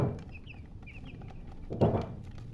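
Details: Chicken chirping: a handful of short, high peeps in quick pairs, followed by a dull thump, over low background rumble.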